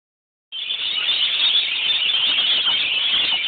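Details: Rainbow lorikeets sheltering from a rain shower screech in a steady, high, harsh chorus of overlapping shrill calls, with a soft patter of rain beneath.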